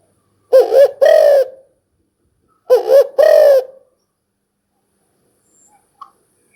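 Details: Two phrases of a spotted dove, each a wavering short coo followed by a longer rounded hoot, spaced about two seconds apart, then quiet with a faint click.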